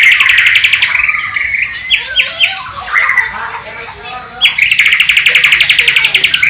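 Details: East Kalimantan white-rumped shama, Borneo form, giving a Sikatan londo or nightingale mimicry song: varied whistled and upslurred phrases, short chips and squeaky notes, ending with a long rapid trill of repeated sharp notes.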